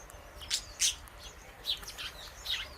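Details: Indian ringneck parakeet, kept as a pet alongside an Alexandrine parrot, eating guava seeds. About five brief, sharp, high clicks come in scattered bursts over roughly three seconds against a quiet background.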